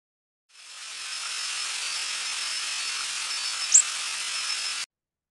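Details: A Black-throated Blue Warbler's flight call: a single tiny, very high note that rises abruptly without the small hump it sometimes has, heard once against a steady background hiss.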